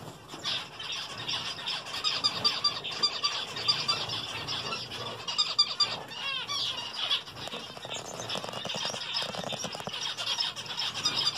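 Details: Zebra finches eating vegetables chatter with a dense stream of short, nasal, high-pitched beeps and squeaks.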